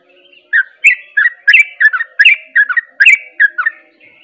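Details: Sooty-headed bulbul singing in the rapid ropel style meant to stir other bulbuls: a quick run of bubbly, liquid whistled notes, mostly paired, about three per second, with a faint steady hum beneath.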